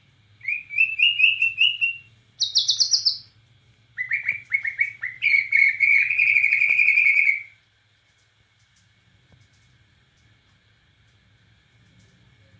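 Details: White-rumped shama from Borneo singing energetically with cililin-style phrasing: a rapid warbled run of whistles, then a high buzzy burst, then a long, dense, rolling sequence of sweet notes, followed by several seconds of near silence.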